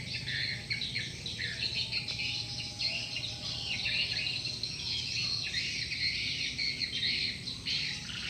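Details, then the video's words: Flock of swiftlets drawn in by a lure call: continuous shrill, overlapping twitters and rapid chirp bursts, pulsing in loudness, over faint low background rumble. "Suara Burung Walet, Download Suara Panggil Walet"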